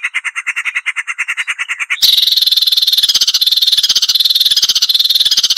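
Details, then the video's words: Marsh warbler song in a clean tutoring recording for songbirds. A fast, regular buzzy trill gives way abruptly to a dense, harsh, grating chatter that runs on continuously at high pitch. "Masteran Burung Suara Tajam - Masteran Nembak Tajam - Mars Warbler"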